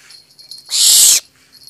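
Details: A pet barn owl gives one harsh, hissing screech lasting about half a second, rough and high-pitched like escaping steam, with quiet surroundings before and after.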